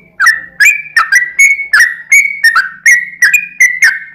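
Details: Yellow-vented bulbul's long song, played to draw answers from other bulbuls: quick, liquid whistles, each a short up-and-down slur, repeated briskly over a faint low hum.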